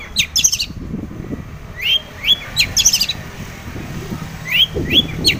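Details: Lively long-tailed shrike song played to stir other shrikes to answer: short bursts of sharp, high chirps and quick upswept whistles, grouped in clusters about every second, over a low background rumble.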